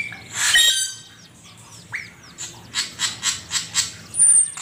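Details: Song of an Asian pied starling from a master recording for training songbirds: a loud harsh burst, a pause, then a series of rasping notes about three per second, ending in a high squeal.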